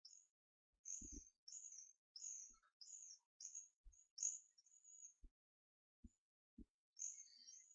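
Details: Hawfinch chicks twelve days old, hand-raised, beg with a rapid series of sharp high squeaks that pause for about two seconds before resuming, accompanied by low taps and knocks.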